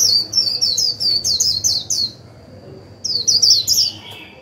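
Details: Decoy Japanese white-eye warbling in 'líu' style to get newly caught birds singing: a fast, high, sparkling chain of chirps for two seconds, a pause, then another quick twittering burst, over a thin constant tone.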